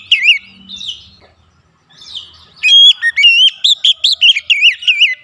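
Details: Varied fill-in song of a kacer (Oriental magpie-robin), meant to get birds singing: a few wavering whistles, a near-silent gap, then a dense run of loud sharp chirps and looping whistled notes.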